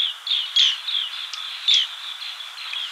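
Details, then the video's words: Green bee-eater giving brief rolling trilled chirps at a high pitch, several notes in three seconds, two louder emphatic ones standing out, with a quiet, even background. "Green Bee Eater Call | বাঁশপাতি পাখির ডাক | Bee Eater Bird Sound | Banspati Pakhir Dak"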